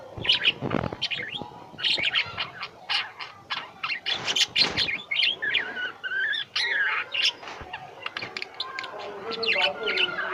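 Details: Kept lovebirds chatter busily with high chirps, squeaks and short twitters packed closely together, plus a louder rasping burst around the midpoint.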